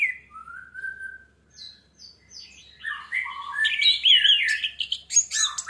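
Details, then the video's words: Singing orange-headed thrush used to trigger song in other birds: a long even whistle, scattered high chirps, then an intense, dense jumble of warbles and harsh buzzy notes. "AMPUH UNTUK PANCINGAN ANIS MERAH MEMICU CEPAT BUNYI DAN GACOR!"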